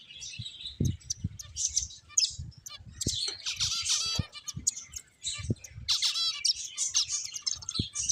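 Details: Playing finches give high, squeaky chirps and short buzzy trills in rapid bursts, several birds overlapping, punctuated by scattered low taps and knocks.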